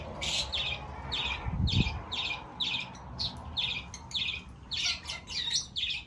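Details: Rapid shrill chirps from Fischer's lovebirds repeated about twice a second, with a short low knock early on.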